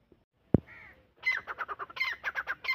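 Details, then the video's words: After a sharp knock and a brief hum, a francolin (teetar) begins a fast series of loud, grating, evenly spaced notes, around five per second. "Teetar voice Teetar awaaz Dakhni teetar Irani teetar Teetar ki awaz Teetar ki boli"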